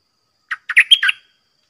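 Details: Red-whiskered bulbul in a cage competing with wild birds, uttering one compact five-note phrase of bubbling whistles that rises to a sharp high note and closes lower, against silence.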